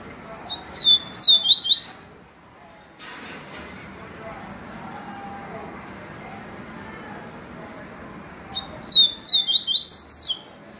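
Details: Papacapim peito amarelo, the yellow-bellied seedeater, sings viviti phrases: a fast run of sharp, sliding whistles, a long stretch of quiet room noise, then a second matching run of quick high notes.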